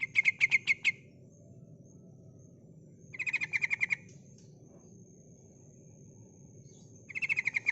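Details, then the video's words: Calling female yellow-vented bulbul, used to draw in males: quick rattling runs of six to nine sharp notes, repeated about every three seconds, with a constant thin high tone and low hum behind. "suara panggilan burung trucukan betina gacor untuk memancing trucuk bahan malas bunyi"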